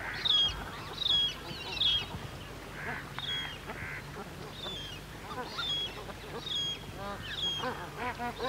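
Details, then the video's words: Siberian cranes, adults and young, with bar-headed geese behind: a series of faint, high, sharply whistled notes at uneven intervals, mixed with soft mid-pitched honks and a low background hum. "Siberian Crane. Calls Of Adults And Young, With Calls Of Bar-Headed Geese In B"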